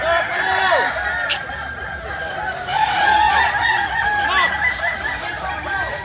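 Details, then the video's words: Kukuak Balenggek roosters, a native breed of Solok, West Sumatra, crowing over each other: long level crows mixed with short bending notes, growing louder around the middle. "Ayam kukuak balenggek ayam asli solok sumbar"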